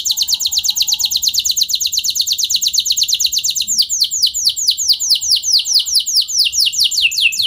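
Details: Canary long rolling song used to prompt other canaries: very rapid, even trill of descending notes for several seconds, then slower, more spaced downsweeps repeated steadily to the end.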